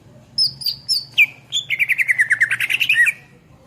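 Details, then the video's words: Greater green leafbird, kept as a songbird, singing a lively master song: a few high whistled notes, then a fast run of rolling, warbling chirps sliding downward, bright and varied. "SUARA MASTERAN CUCAK IJO GACOR"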